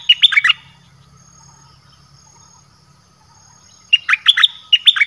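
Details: Red-whiskered bulbul, dok taeng song style, recording used to call in wild birds: one quick phrase of bright, bubbling notes opens, a near-silent pause follows, then a longer phrase of jumpy whistled notes closes.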